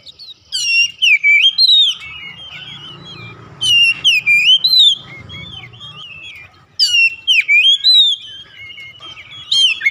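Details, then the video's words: Oriental magpie-robin singing, used to prompt a household bird that rarely sings: clusters of rapid, rich whistled notes about every three seconds, with quieter scratchy twittering and low background hum between bursts. "terapi kicauan Kacer | memancing Kacer rumahan susah bunyi langsung gacor"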